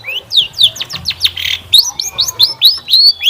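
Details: Long-tailed shrike lure song, used to prompt other shrikes to reply, delivering quick rising slurred notes about four per second, broken by one harsh burst midway.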